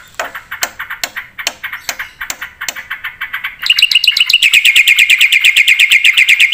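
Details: Black-winged starling singing energetically. Sparse soft clicks and short notes give way midway to a loud, rapid stream of ringing chattered notes at a steady fast pace.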